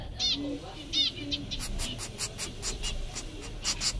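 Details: Zebra finch chicks from a pair's second brood, one all white (owner thinks it is a male), give rapid, high, wheezy begging calls in quick bursts, a few per second, over low hum and faint human voices.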